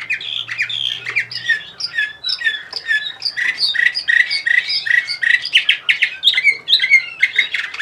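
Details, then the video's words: Bulgarian canary, Orpheus 2020, from Sofia, sings continuously. Rapid warbled and trilled syllables in the mid to high range shift every fraction of a second, with a steady pulsing rhythm throughout and no other sounds. "Bulgarian Canary Orpheus 2020"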